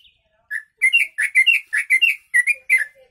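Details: Yellow-vented bulbul singing with learned sooty-headed bulbul (kutilang) phrases, used as a tutor recording for training birds: a quick run of about nine bubbly, liquid two-note phrases, closely spaced with short gaps, in a quiet setting.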